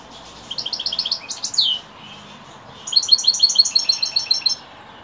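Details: Evening song of a European goldfinch: a quick run of liquid twittering notes ending in a sharp downslurred buzz. After a pause comes a second fast, tinkling trilled phrase.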